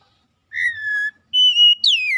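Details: Oriental magpie-robin whistles, used to stimulate a bird that isn't singing: a lower steady whistle, a pause, a higher level whistle, then a sliding downward note.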